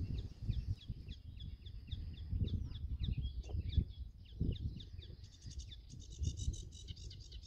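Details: Male Sedge Warbler singing on Goxhill Marsh, Lincolnshire, UK, phonescoped: a run of quick down-slurred chips that breaks into dense, buzzy, rattling trills near the end, with steady wind rumble below.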